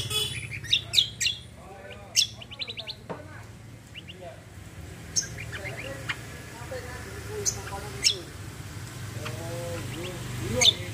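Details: Cucak singing in combination style with rapid-fire roll phrases: sharp high chirps and short trills, with scattered clicks and down-slurred notes throughout, over a low hum.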